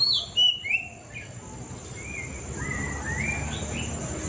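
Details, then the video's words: White-rumped shama: a loud opening cluster of sharp whistles, then a few softer, drawn-out rising whistled notes against a steady hiss. "Suara Burung Murai Cacing 2023"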